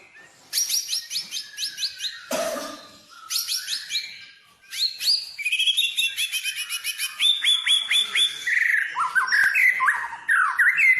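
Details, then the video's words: White-rumped shama song played as a lure to stimulate other birds to sing, full of varied fill phrases: rapid runs of sharp high notes, a loud burst, then ringing whistled phrases that rise and fall, repeated in quick series. "pancingan burung murai full isian"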